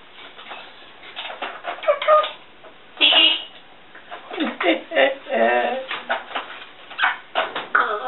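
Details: A pet African grey parrot, female, talks to herself in a small room with a rapid string of speech-like syllables and short harsh bursts, plus a few brief whistled tones.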